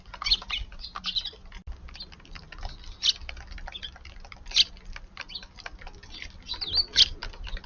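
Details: Eurasian tree sparrows in a garden on an early morning, February 6; sharp high chirps roughly every one to two seconds over a steady patter of soft clicks and taps.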